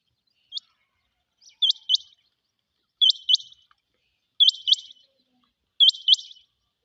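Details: Rain quail giving repeated high, clipped double notes, each pair with a brief rattling tail. About five phrases come roughly every one and a half seconds against an otherwise silent background.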